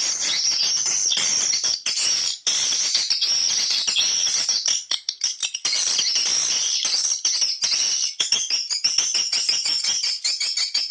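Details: High-pitched swiftlet chirping used as a call to bring swiftlets to nesting houses, tested in several swiftlet houses; a crowded, nonstop chorus of sharp ticking twitters and clicks, slightly broken by brief dips.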